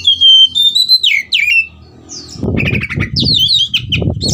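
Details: Oriental magpie-robin excited into fighting, opening with a long pure whistle and slurred phrases, then rapid chattering chips repeated over loud low thumping and rustling noises.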